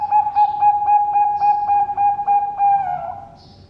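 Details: Zebra dove (perkutut, Bangkok type) from a bird farm in Sidoarjo, East Java, Indonesia, singing a steady, mellow coo broken into quick, even beats, about four per second, that fades out after three seconds.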